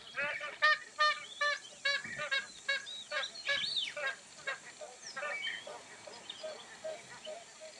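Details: Magpie goose honks: loud, nasal, ringing notes given in quick bursts of two or three per second by several birds that overlap, strongest in the first four seconds and then softer and more spaced.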